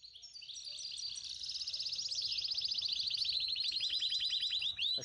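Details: Mosaic canary (Serinus canaria) singing a fast, high, continuous song of rolling trills and rapid repeated chirps that grows louder and ends in clipped whistled notes.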